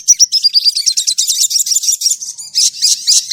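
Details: Crimson sunbird song used as a training lure for a caged bird: a rapid series of very high, thin chirps and sliding notes, partly descending, followed by dense buzzy twittering bursts, with no other sounds.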